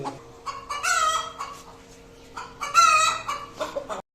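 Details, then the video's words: Hen calling after laying an egg: two loud, rising, harsh squawks with rapid clucks between them and steady background hum. "Hen Egg Laying Sound || Hen Make Noise After Laying Egg"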